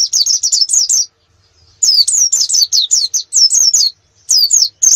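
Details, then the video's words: Canary song used as a master for competition birds: bursts of quick, sharply sweeping whistled notes, several per second, separated by short pauses. "Masteran kenari terbaik untuk persiapan lomba nasional"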